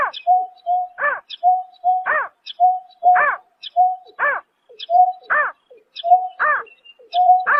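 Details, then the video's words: Greater painted-snipe heard at night in March 2024, calling in a steady rhythm of roughly one note per second. Each note pairs a short, flat low whistle with a strong arched, harmonic hoot, held against a quiet background. "Tiếng Chim Nhát Hoa Đánh Đêm Vụ Tháng 3 Năm 2024"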